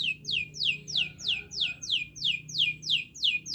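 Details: Canary phrase for coaxing quiet canaries to sing: a steady series of about eight sharp, downward-swept whistled notes, roughly three per second, over faint low hum.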